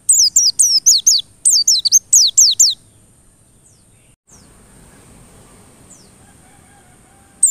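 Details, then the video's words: White-eye song used to lure white-eyes into singing persistently. Nearly three seconds of rapid, high, falling twitters in clustered bursts, then a long quiet stretch and a final note. "PANCINGAN PLECI agar NGOTOT"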